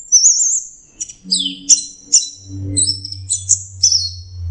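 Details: An orange-headed thrush (Geokichla citrina) sings a rich song of high wavering whistles and quick varied phrases repeated in short bursts. A steady low hum runs through the second half.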